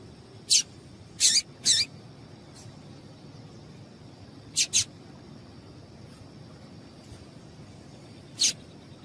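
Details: Female yellow-bellied seedeater giving about seven short, high, hissy chips, several in quick pairs, with long gaps between groups, to stir a male into song, over a faint steady high tone.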